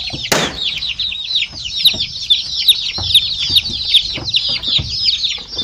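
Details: Colourful domestic chicks kept indoors with a heat source, near a remote car, give a dense stream of shrill descending peeps from many birds at once, opened by a sharp click and dotted with light tapping sounds.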